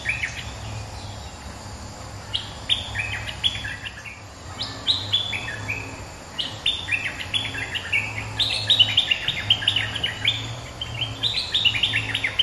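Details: Resident bulbul answering a rival, used as a lure recording: bursts of bright, liquid whistled notes in quick, irregular chattering phrases, several rising and falling, repeated through the clip over a steady low hum.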